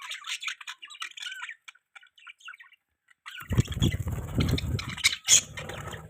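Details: Budgerigar chirping: soft twittering chatter for three seconds, a short silence, then louder chatter masked by broad rustling noise.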